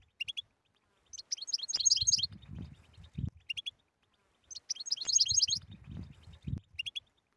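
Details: European goldfinch singing the 'btbta' style meant to end a goldfinch's silence: two repeated phrases of bright, rapid twittering with buzzy edges, separated by quiet gaps and low thuds.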